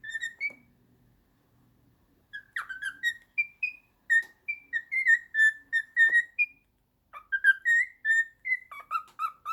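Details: A cockatiel whistles a learned, trained tune of clear, bright notes, some rising or falling, in quick phrases.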